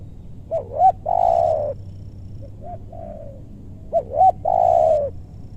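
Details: In a meranti woodland in West Bogor, a spotted dove calls while luring wild birds: a quick double rising coo, then a long, drawn-out, slightly falling croo, with a softer repeat of the phrase in between.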